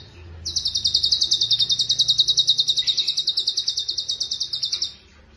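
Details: Cucak cungkok, used as a tutor bird for songbirds, delivering one long, even roll of fast, high, buzzy repeated notes lasting about four and a half seconds without a break.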